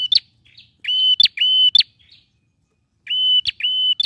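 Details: Singing male bar-winged prinia, played to stir a quiet bird into song: level piercing whistles each closed by a harsh click, given in quick pairs, with short pauses between bursts.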